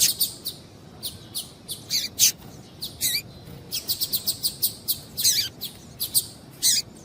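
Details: Female double-collared seedeater calling to stir a male into song: a busy run of high, sharp chirps and short buzzy notes, irregular and often in quick clusters, over a quiet hum.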